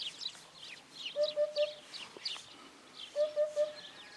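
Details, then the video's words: Eurasian hoopoe gives two runs of three soft, low, hollow hoots, oop-oop-oop, about two seconds apart, over busy high chirping from other birds. "The most beautiful sound of Hoopoe bird ( Hudhud )"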